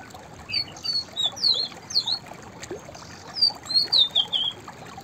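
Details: White-browed fantail singing two phrases of clear, high whistled notes. Each phrase is a quick run of rising and falling slurred whistles, separated by a short pause, over a soft hissing background.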